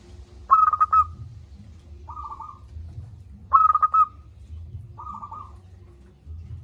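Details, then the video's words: Loud-voiced local zebra dove in full song, giving four trilled cooing phrases; strong pulsed bursts alternate with quieter rolling ones about every one and a half seconds, steady low hum beneath. "Perkutut lokal gacor suara besar"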